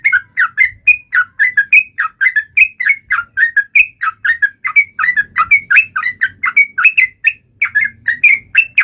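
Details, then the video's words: Song of a yellow-vented bulbul, described as taunting an opponent: continuous quick, gurgling whistled notes bouncing between lower and higher pitches for the whole stretch, without pause. "trucukan gacor MENGEJEK LAWAN"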